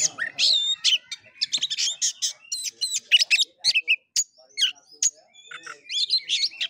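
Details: Oriental magpie-robin in fighting-style song known as kura kura: dense bursts of clipped chirps, rattles and upswept whistles, loud and high, broken by brief pauses before the next volley.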